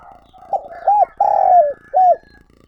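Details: A single calling-coo phrase from a decoy spotted dove, recorded directly: a brief soft note, an arched coo, a long drawn-out descending coo and a closing hooked coo.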